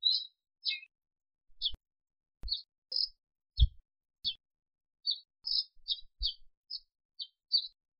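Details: African sparrow giving a long run of short, high chirps, roughly two per second and slightly uneven, with a few low soft thumps between them in an otherwise quiet background.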